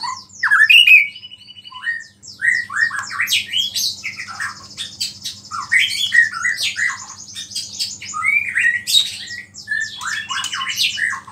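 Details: White-rumped shama song that provokes other shamas, a long energetic stream of varied whistles, harsh squawk-like notes and high buzzy trills, loud at the start and continuing densely throughout over a faint hum.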